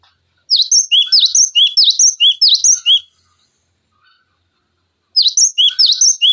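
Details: Cinereous tit song used to tutor other songbirds: two bursts of sharp, high whistled three-note phrases, the first with about five repeats, then a pause of about two seconds before the pattern resumes, with no background noise.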